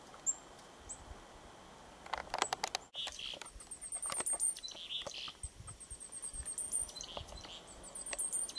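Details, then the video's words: Chickadee singing a short spring song of clear whistled notes at a few seconds' spacing on a lakeshore in the afternoon, with thin, very high chips from other small birds and some rustling noise behind. "Chickadee songs"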